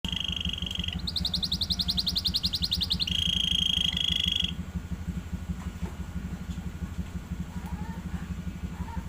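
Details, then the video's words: Young canary just learning to sing: a short steady note, a fast buzzy trill, then a long flat whistle, the bird falling quiet after about four and a half seconds, over a constant low pulsing hum. "Baru belajar bunyi"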